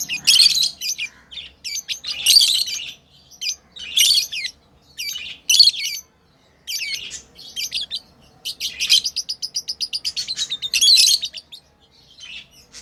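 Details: Several harsh, high chirp bursts from playing pet lovebirds, followed by a fast, evenly pulsed chatter of about ten quick notes, then fading squeaks.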